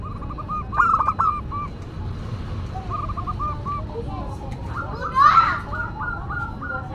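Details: Local zebra dove singing a classic, distinctive song: soft clipped cooing phrases of rapid stepped notes, one rising into a rolling series near the end, with faint clicks and distant voices behind.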